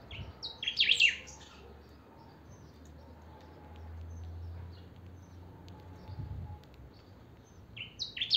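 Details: Saffron finch (chiviro) in strong song: a dense burst of high, sharp whistles at the start and a shorter one at the end, with faint scattered chips and low background rumble between.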